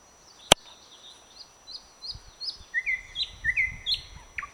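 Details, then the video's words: Thrush nightingale singing from a flowering bird cherry, 21 May 2009: a sharp click, then soft high whistles rising into louder slurred whistled phrases, with faint low thumps underneath. "Satakieli laulaa Nightingale is singing"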